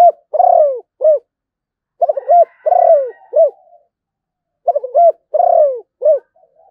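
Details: Malaysian zebra dove singing three phrases about two seconds apart, each a quick stuttered coo, a long falling rolling note and a final short hooted coo, against silence.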